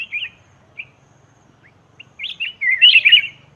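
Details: Sparse single chirps from a black-crested bulbul, used as a wild-bird lure, build into a loud, dense burst of tumbling whistled warbling near the end.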